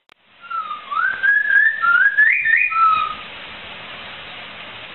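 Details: Laughingthrush song used to train cage birds: one continuous run of bright whistles climbing stepwise in pitch over about two and a half seconds, ending with a lower level note, then quiet hiss.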